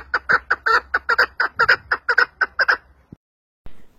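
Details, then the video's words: Partridge whose voice was judged not very beautiful; about a dozen loud, harsh clucks in quick regular succession, then silence apart from a couple of clicks. "kekliğin sesi o kadar güzel değildi Ben beğenmedim"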